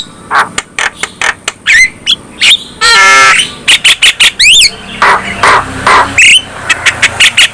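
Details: Black-winged myna song used to provoke rival mynas into singing: rhythmic harsh chips and squawks, a long buzzy rasp, sweeping whistled slurs and brief noisy bursts.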